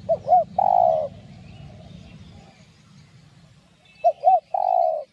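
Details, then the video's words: Spotted dove singing a 'giọng đồng' style 'gáy thúc gù' phrase, meant to excite trained decoy doves. Two quick hooked notes lead into a long steady coo. The phrase repeats after about three seconds over faint low background noise. "Cu Gáy Giọng Đồng Chuẩn GÁY THÚC GÙ Kích Mồi Tập Bổi Ức Chế.Tiếng Cu Kích Trống"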